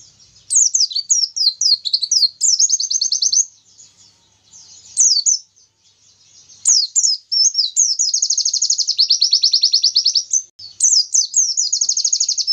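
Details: Oriental white-eye delivering 'tembakan Nobita panjang' song to provoke rivals: several bursts of sharp, high, down-slurred chirps, each run into rapid buzzy trills, with short silent pauses between phrases.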